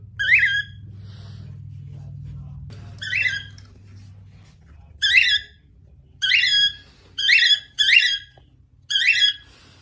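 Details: Female normal grey cockatiel giving raspy, harmonic-rich squawks in a series of seven bursts, the later ones coming faster in close pairs, with a low droning hum under the first seconds.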